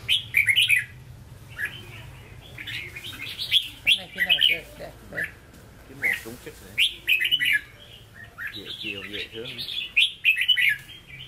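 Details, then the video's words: Caged red-whiskered bulbul singing in the Hue style: bright, high warbled phrases in short bursts separated by pauses, with softer chattering notes and low background hum between phrases. "Chào Mào Chuẩn Giọng Huế Hót Ché"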